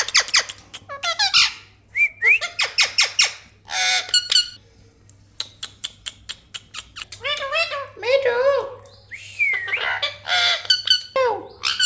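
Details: Parrot calling in separated phrases: harsh squawks, bent whistled notes that slide up and down, and chattering, speech-like syllables, with short silent gaps between bursts.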